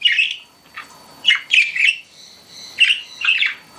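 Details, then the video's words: Pet budgerigars chirping with spaced, clear high tweets and short squeaky calls, some doubled, over a quiet indoor background. "CUTE PET BUDGIES CHIRPING"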